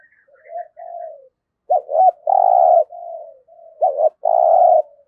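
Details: Decoy spotted dove used for trapping, with soft low coos followed by two loud phrases, each a pair of looping notes and a long sustained coo; faint high chirps at the start.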